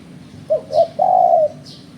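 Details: Spotted dove voice used by bird trappers as a lure: a three-part phrase of two clipped coos and a drawn-out level coo, with soft high chirps from another bird.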